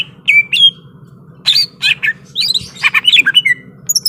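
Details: Greater green leafbird, ready to fight, delivering clustered chirps, buzzy notes and bright whistled slurs in a dense run, over a low steady hum.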